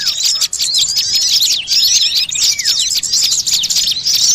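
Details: Many small birds chatter loudly together, a lure recording for trapping small birds; sharp high tweets and quick swooping whistles crowd one another nonstop, with one brief dip in the noise.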